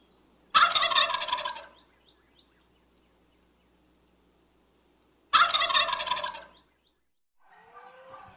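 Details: Two separate rattling turkey gobbles about five seconds apart, each a sudden bubbling burst fading over a second, with a soft fainter call near the end.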